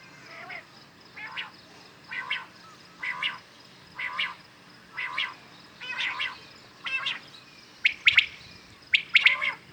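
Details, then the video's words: Real common quails heard in the morning for hunting: a steady series of short, buzzy bursts about once a second, ending with two crisper triple-note phrases. "Today common quails calling"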